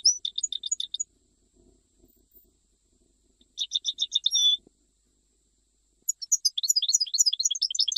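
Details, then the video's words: Goldfinch of the Jijel style from Algeria singing three phrases of quick, high, tinkling twitters. A short buzzy trill ends the middle phrase, with soft faint knocks in the gaps and no other birds. "تغريد مقنين جيجلي"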